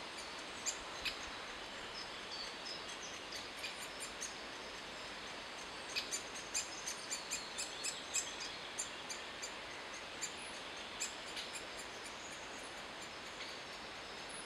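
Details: Great spotted woodpecker feeding its young, giving short, sharp ticking chips, scattered irregularly and bunching into quick runs midway, over a steady hiss of background noise.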